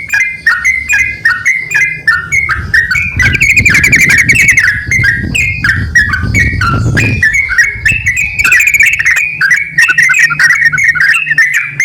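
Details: Male and female yellow-vented bulbul call in turn with jumping whistled notes; a fast rattling chatter starts near the third second, with low rumbling noise mixed in, then the paired whistles resume.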